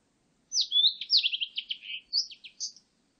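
Blue-and-white flycatcher singing one bright, high phrase of clear whistles and quick slurred notes, ending in thin rising chips, over a quiet background.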